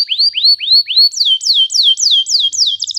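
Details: Canary song played to train young birds: four rising arched whistles, then a run of quick notes that leap up and slide down, ending in a rapid flutter.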